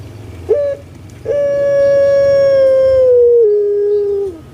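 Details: A puter pelung dove kept in Java, Indonesia: a short clipped note, a pause, then one very long, strong, level hoot lasting about three seconds that steps down lower before ending.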